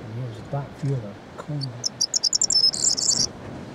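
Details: A corn bunting (Emberiza calandra) at Balranald, North Uist, on 15 May 2014 sings a quickening run of dry, high ticks ending in a short jangling rattle like shaken keys; a low voice speaks just before.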